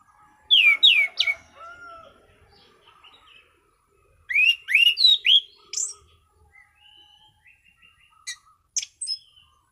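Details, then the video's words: Orange-sided thrush in calm, consistent ngeplong singing: three phrases of swooping, descending whistles mixed with sharp chirps, separated by quieter pauses with soft low background noise. "Burung Anis Cendana Ngeplong Santai"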